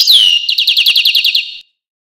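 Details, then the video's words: Carduelis carduelis, the European goldfinch, gives a high falling whistle followed by a rhythmic run of about a dozen quick, evenly spaced chirps, then silence. "Goldfinch (Carduelis Carduelis) Songs"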